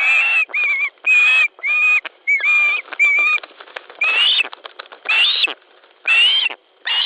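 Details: Ospreys squabbling over a fish at a nest in Latvia on 10 July 2013, evening, one bird trying to take the fish from another: loud, harsh, whistled upslurred calls repeated about once a second, with fainter buzzing insects behind.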